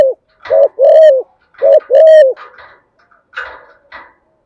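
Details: Morning call of a decoy spotted dove, used to draw wild doves in to fight: two paired coos, each a short note then a longer drawn-out one, followed by softer scratchy rustling.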